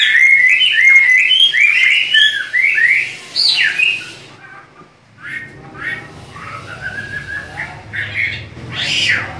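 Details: Chinese hwamei, a duetting pair in full song. Fluent whistled phrases come first, then a loud harsh note. The singing drops to softer, scattered whistles and ends with a final burst.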